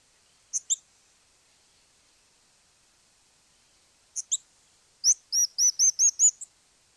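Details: Crowned Slaty Flycatcher in Argentina: thin, very high squeaky notes. Two quick pairs of sharp chips are separated by a pause, then a fast run of about seven bright, slightly rising notes. The background is quiet.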